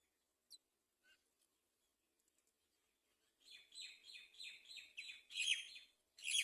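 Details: Great myna feeding its young at the nest: a few isolated clicks, then a steady run of harsh, high chirps repeating about once a second and growing louder toward the end.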